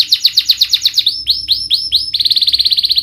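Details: Canary song meant to provoke a reluctant bird to sing: a fast chattering trill, a few slower upward-swept notes, then another quick rolling trill, all high-pitched.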